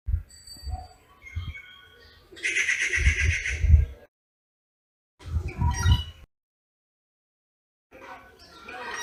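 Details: Rufous treepie calling in Ranthambhore National Park: faint tonal whistles first, then a loud, raspy, grating burst lasting over a second, a shorter harsh call after a pause, and a softer rasp closing, over low rumbling noise.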